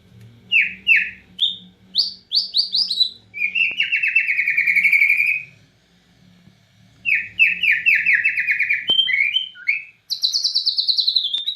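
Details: Energetic song of a white-rumped shama from Borneo copying cililin phrases: quick downslurred whistles, a long buzzy trill, a gap, then repeated whistles and high bright notes.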